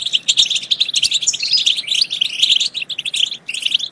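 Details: Goldfinch song meant to encourage goldfinches to sing and mate: lively, liquid twittering with quick trills and a few drawn-out tinkling phrases, delivered almost without a break.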